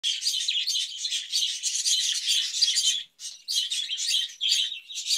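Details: Caged budgerigars chattering in a dense, continuous stream of high chirps and warbles, broken by a short pause near the three-second mark before the busy twittering resumes.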